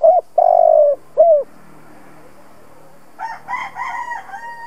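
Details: Decoy spotted dove cooing to stimulate other doves: a short note, a long flat coo and a falling note, then after a pause a rooster crows in the background.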